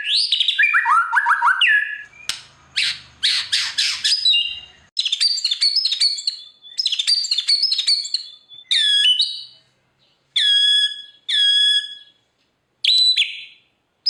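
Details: White-rumped shama showing off imitated phrases, 'bongkar isian', to stimulate silent shamas: descending whistled run, loud buzzy harsh bursts, then spaced short bright whistled phrases with silent gaps between.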